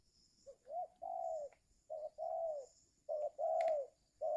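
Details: Spotted dove calling to lure wild birds in the giring season; three phrases in a row, each a brief low note, a rising note and a long mellow coo, spaced about a second apart.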